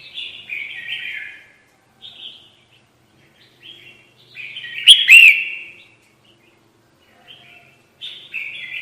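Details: Red-whiskered bulbul lure call for trapping: a run of short warbled and chattering phrases of varied loudness, with one louder, sharp chirp midway that trails into a rolling slur.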